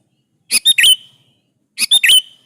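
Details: Lively sooty-headed bulbul song meant to make other bulbuls answer: two short phrases, each of two clipped chirps followed by a longer liquid falling note, in a quiet setting.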